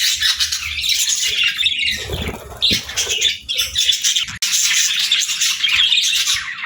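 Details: Pet parrot in the morning giving bursts of rasping squawks and chirps. The bursts break off briefly twice, then resume.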